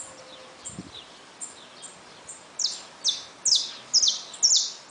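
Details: Saffron finch in a cage with newly hatched chicks: faint high chips build into five loud, sharp, falling notes spaced about half a second apart, over steady background noise.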